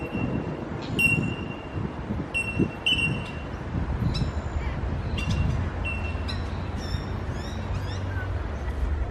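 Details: Bell miners (bell birds) in the Botanic Gardens, Melbourne, give clear, ringing 'tink' notes, single or in short runs, from several birds, with other chirps and a steady low traffic rumble behind.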